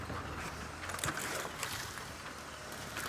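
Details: Broadband vehicle and wind noise, with a low engine hum and no animal calls.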